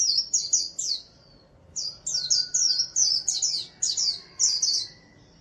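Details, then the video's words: White-eye kept as an ornamental bird, singing a líu-style song: bright, high twittering bursts of quick slurred notes, a first burst, a short pause near one second, then a longer run of repeated chirpy phrases over a quiet background. "The ringed bird sings beautifully! Chim vành khuyên líu hay"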